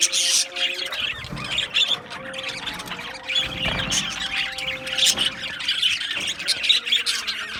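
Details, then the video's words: Colony of Australian budgies in an aviary, scratchy warbles and sharp high chirps from several birds, with sustained low tones running under the chatter. "Beautiful Australian Budgie birds Chirping Sounds | Budgie birds sounds"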